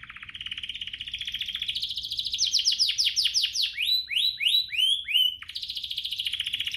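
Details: A canary's lure song, meant to set other canaries singing: a rolling buzzy trill swells into a string of hooked, rising whistled notes, then falls back into a fast trill.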